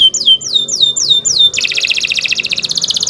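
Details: Canary singing continuously as a training song for other canaries: five clear, downward-slurred whistles, then a dense, rapid rattling trill held for over a second and a half.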